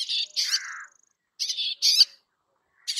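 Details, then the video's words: Song of a Bay-backed shrike: grating scratchy notes followed by a thin high whistle and a soft warble, then paired harsh bursts after a pause. "Bay Backed Shrike Sound ! Bay Backed Shrike Call ! Bay Backed Shrike Song ! Bay Backed Shrike Vocals"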